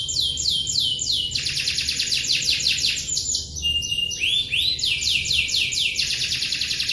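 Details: Canary delivering a long roll: strings of quick, high, downward-sweeping notes repeated in tight trills, changing phrase every second or so without pause, over faint low-pitched background noise.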